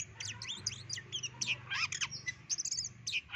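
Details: A white-legged Oriental magpie-robin from West Sumatra sings a rapid, varied jumble of high chirps, squeaky notes and harsh squawks. A low steady hum runs underneath.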